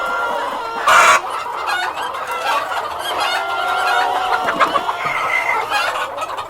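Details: Chickens, a cockerel among hens, with a sharp flapping burst around one second, then continuous overlapping clucks and long tonal cackles from the flock.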